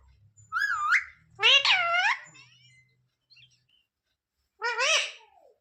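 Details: Talking pet parrot indoors asking for roti: three bursts of harmonic, sliding speech-like syllables with whistled arcs, separated by silences, the last after a long pause; low room rumble at the start.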